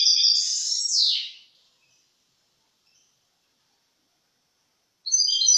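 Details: European goldfinch singing in 2023: over a second of fast, liquid twittering notes that drops and fades, then a long silence before a fresh burst of high tinkling trills begins at the end.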